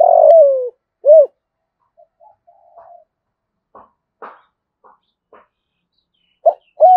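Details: Lure spotted dove calling wild doves, which respond fast and fly in to fight. A long harsh coo drops in pitch, a short arched note follows, then scattered faint clicks and rustles, then two more short coos.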